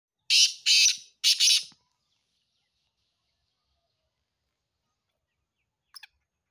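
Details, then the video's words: Black francolin calling in Sindh, Pakistan: three harsh, grating rasping notes in quick succession within about a second and a half, followed by silence and one faint click near the end. "Kala Teeter sindh Pakistan"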